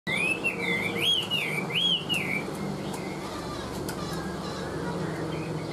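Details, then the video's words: Caged Chinese hwamei, a tame bird kept for singing, gives a short burst of loud, slurred whistles that rise and fall three times. The song then breaks off, leaving a steady background hiss. "Siêu mỏ ra giọng rất đều - Họa mi đẹp hót hay"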